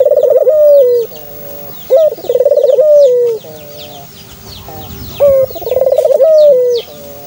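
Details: Two dove coo phrases, each a throbbing rolled note flowing into a long downward-sliding tone with a soft lower murmur after, used to encourage a kept dove to sound off; high twittering of other birds throughout.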